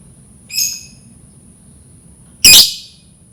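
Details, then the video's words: Lovebird calls meant to lure other lovebirds into learning to sing: a short harmonic chirp, then after two seconds a loud, harsh, shrill burst, over a faint steady high-pitched whine and low background rumble. "Suara lovebird Memancing burung lovebird belajar berkicau"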